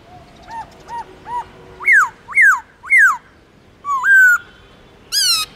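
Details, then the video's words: Black-throated laughingthrush song in the long slurred forest style: three soft arched notes, three louder downward-swooping whistles, then a rising drawn whistle and a bright harmonic-rich note at the end. "Khướu Bạc Má Hót Giọng Rừng LUYẾN DÀI HAY"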